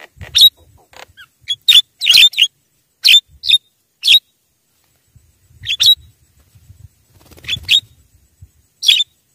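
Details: Javan myna lure call meant to bring wild mynas close: irregular short bursts of scratchy, buzzy chirps, often in pairs, with silent pauses and a faint low rumble.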